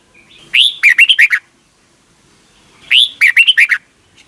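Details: Thai red-whiskered bulbul song meant for young caged birds to learn by morning playback; two identical phrases, each a swelling rising whistle and then a brisk string of clear downward-slurred notes.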